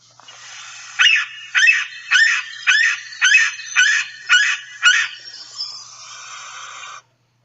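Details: Yellow-bellied Sapsucker's screaming call, serving as its territorial song: a series of eight slurred, squealing screams, each bending down then up, spaced about half a second apart over a soft hiss.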